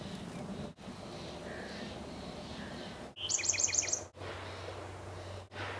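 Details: Chestnut-backed chickadee excavating a nest cavity in a dogwood tree gives one brief burst of five or six rapid, very high, thin notes against steady background hiss and a low hum.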